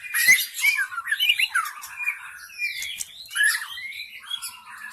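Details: Forest-wild white-rumped shama singing as a lure sound: a dense, continuous jumble of twisting whistles, warbles and chatter, fairly steady in loudness throughout.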